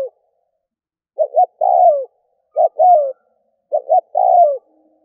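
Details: Spotted dove decoy, cooing to bring in wild doves: three phrases of paired short notes and a longer coo dropping in pitch, spaced about one and a half seconds apart, otherwise silent.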